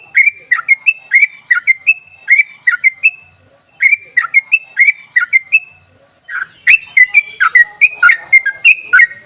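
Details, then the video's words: Yellow-vented bulbul giving a rapid chattering call, meant as a lure for bulbuls that are slow to sing: bubbly, slightly rising chirps repeated in quick runs, a brief pause, then a denser and louder burst. "ropelan dan panggilan burung trucuk ini sangat memikat bagus buat pancingan trucuk malas bunyi"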